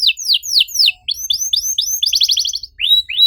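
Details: Canary song played to coax a quiet canary into singing: slurred downward whistles, a short gap, upswept notes, a quick stuttering trill, and two final rising whistles.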